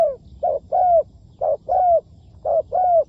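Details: Spotted dove kept as a decoy for trapping, giving low, mellow coos in a short-then-long pattern: a brief throaty note followed by a drawn-out, slightly falling coo, repeated three times at about one-second intervals. Faint low rumble underneath.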